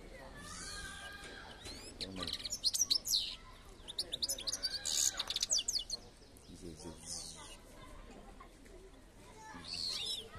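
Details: European goldfinch song: bursts of high, fast twittering and sharp chirps rising and falling, interrupted by stretches of quieter background and a man's voice speaking.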